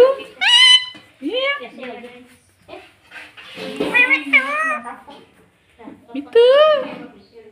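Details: Talking pet green ringneck parrot mimicking words like "mummy" and "mitthu", with several clear harmonic, wavering syllables spaced over several seconds in a quiet room.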